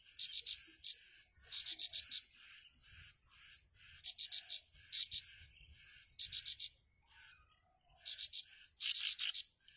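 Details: Mother bar-winged prinia (ciblek) at its nest in the wild, crying for her chick: short clusters of rapid, high-pitched ticking notes burst out every second or two, with quieter gaps and faint steady background hiss between them.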